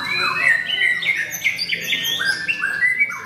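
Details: White-rumped shama, a debut contest bird that placed on the podium at a singing competition at Mahendra Arena, singing clear whistled phrases. Short notes slide up and down and are strung together quickly, with a buzzier edge on some notes and a faint background hum.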